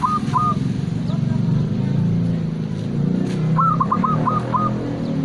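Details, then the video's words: Local zebra dove (perkutut) song of the "klooww ketek" type: a brief purring coo, then after a pause a quick run of five soft, mellow staccato coos, over a steady low rumble of traffic. "Perkutut Lokal Suara Klooww Ketek Gayer"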